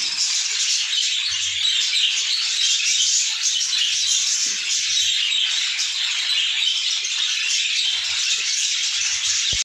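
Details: Budgerigar chicks inside their nest keep up a steady, harsh, raspy hissing chatter, dense and unbroken for the whole stretch, with a few faint low thumps underneath.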